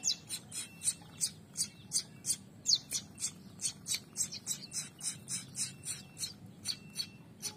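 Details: A pair of young prinias, becoming active, give a steady run of high, raspy chips, roughly three each second, with a faint low hum behind them.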